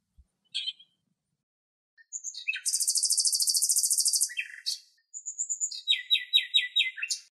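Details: Lesser grey shrike (Lanius minor) singing in Greece: a chattering, high-pitched medley of a long rapid trill, thin whistles, then a series of quick repeated squeaky notes.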